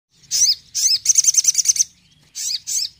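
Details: Crimson sunbird giving a tembakan song: sharp, high twittering bursts with quick down-slurred notes, then a fast run of about eight bright ticking notes, and two more short bursts after a pause.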